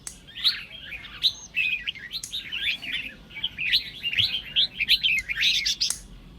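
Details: Competition-style red-whiskered bulbul singing meant to stir other birds into song, Sông Kôn voice. Quick warbled, slurred whistles run in lively clusters, with a brief high thin note early on.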